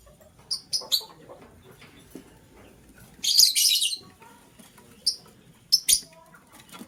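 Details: Green lovebird chirping in the morning as a blue lovebird scrambles for vegetables; a few thin, sharp chirps lead into one long harsh, buzzy burst, then scattered short chirps.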